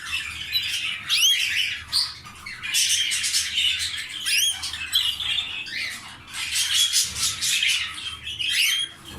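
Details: Breeding pair of canaries with eggs, inside: sharp upward-sweeping call notes repeated among dense, hissy high chatter. The calls come in several loud bursts separated by brief lulls.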